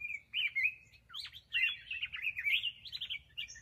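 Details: Rapid, rich black-crested bulbul song with tumbling whistled notes and sharp downward slurs, forming near-continuous warbled phrases over a soft low hum.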